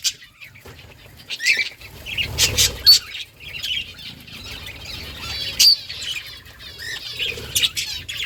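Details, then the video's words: Colony of breeding budgerigars: scattered chirps and scratchy warbling notes mixed with sharp clicks and wing flutters, a few thin whistled calls rising above the background. "Budgies breeding progress and chirping sounds"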